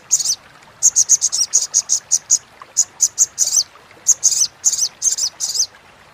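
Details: High, rapid crecetan chatter of a Crimson sunbird (sogon), used to coach competition birds and rouse silent ones; clusters of sharp, buzzy notes in quick bursts with short pauses between groups.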